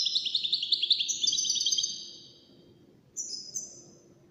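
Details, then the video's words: Song-competition entrant, a wild-caught European goldfinch, pours out a quick run of rhythmic tinkling notes for two seconds, falls quiet, then adds two short high twittered phrases; soft background hum. "مسابقة افضل تغاريد 5 حساسين ويدانية"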